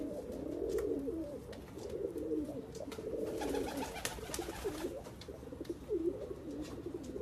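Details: Persian pigeons of a fancy breed produce soft, low rolling coos in repeated pulses, about one every second or so, with scattered clicks and scuffling noises between phrases.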